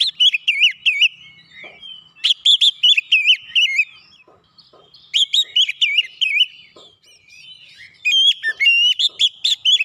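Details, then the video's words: Oriental magpie-robin song used as a lure to provoke a rival bird into agitated response: clear rapid series of wavering, looping whistled notes in bursts every couple of seconds, over a quiet background. "SEKALI PANCING KACER LAWAN LANGSUNG NGOTOT NAIK EMOSI"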